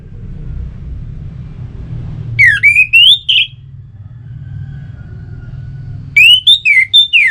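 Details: Orange-headed Thrush song aimed at getting kept birds to sing: a clear whistle rising steadily in pitch over a second, ending in a buzzy flourish, then after a pause a similar rising phrase with quick falling notes.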